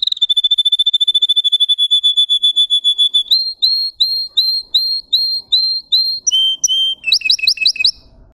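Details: Russian song canary performing a varied song: a fast even trill of clear whistled notes, then slower repeated hooked whistles, shifting to lower notes and ending in quick high chips.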